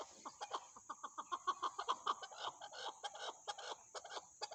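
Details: Series of throaty chuck notes from a chukar partridge, repeated in quick irregular runs and rising slightly in strength mid-way, over a constant thin high hum.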